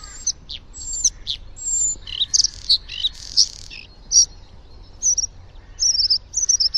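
A Bluethroat sings a quick, varied run of high, sharp whistles, ringing notes and buzzy chips, changing from note to note with brief pauses between.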